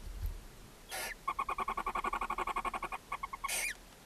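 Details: Barn owl mother with seven owlets in a chimney nest box in Ságvár, Hungary, May 4, 2024, during feeding: a rapid, even chittering of about twenty pulses, framed by two harsh hisses.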